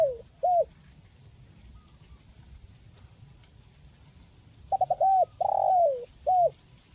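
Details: Spotted dove call meant to stir idle birds into singing: two brief low coos at the start, a quiet pause, then a stuttered burst of short coos, a long falling coo and one final short coo.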